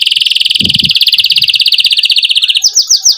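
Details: Canary pouring out a steady fast pulsed trill, used to stimulate young canaries' singing and as therapy for canaries that stopped singing, ending in a few loud sweeping notes; faint low knocks early on.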